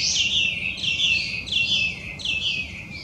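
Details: A loud song of a Chinese hwamei, an introduced wild bird from China and one of Japan's worst 100 invasive species: four bright, descending whistled phrases, each roughly three-quarters of a second long, given in close succession.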